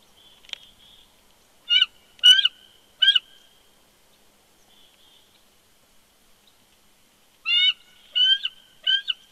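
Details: Male bald eagle at a nest at Big Bear Lake, California, on 20 January 2020, whining and protesting as his mate coaxes him off the eggs: bursts of sharp, high chattering notes in two groups, with a faint thin tone between them.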